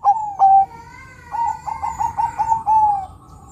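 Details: Zebra dove of the Bangkok type, lure sound for other doves: two clear coos followed by a softer, slightly muffled string of short cooing notes ending in a longer note.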